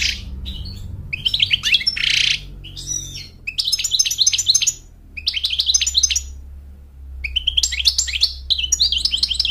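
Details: European goldfinch, a male, sings repeated bursts of rapid, sparkling twittered notes with brief silent gaps between phrases; a faint low mechanical hum runs beneath.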